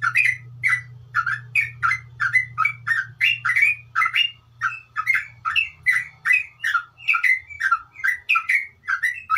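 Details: Sooty-headed bulbul, a kept bird, in fast chattering song ('ngeropel' style): rapid bubbly notes around mid pitch, about three per second, each a short warbled phrase, steady and loud, faint low hum underneath.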